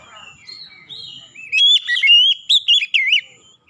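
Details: Oriental magpie-robin lure song meant to set other magpie-robins singing. Soft, thin whistled notes lead into a loud run of clear, looping whistles and a few sharp chips.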